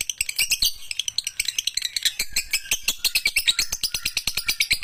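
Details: Lovebird in full long ngekek song: an unbroken rapid rattle of high, raspy chirps, with occasional brief tonal squeaks riding over the buzzy chatter.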